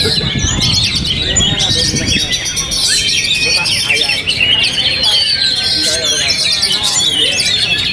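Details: A kept oriental magpie-robin is buffeted by strong wind yet still sings. Its song is a dense stream of high trills, whistled slurs and chattering notes, and gusty wind roars underneath.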